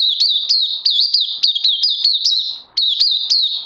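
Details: Oriental white-eye recorded 31 May 2020, pouring out quick, high, down-slurred chirps in an unbroken chain with one short pause near the end.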